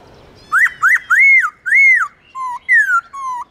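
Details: Black-throated laughingthrush singing, aimed at restoring pet birds' singing drive: a run of loud rising-then-falling arched whistles, followed by lower flat whistles alternating with a long downslurred note. The tone is bright and harmonic.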